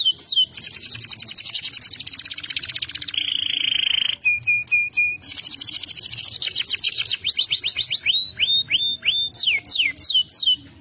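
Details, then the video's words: Canary singing a long, varied song: fast buzzy trills, a steady held whistle, sharp clicking rolls, then a series of loud swooping whistled notes rising and falling, with a soft background hum throughout. "تغريد مدهل للكناري الوحش"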